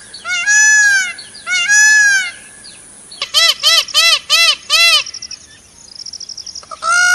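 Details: Indian peafowl (Pavo cristatus), a peacock, gives two long, loud wailing cries, then five quick honking calls, a rapid stuttering burst, and one more wail.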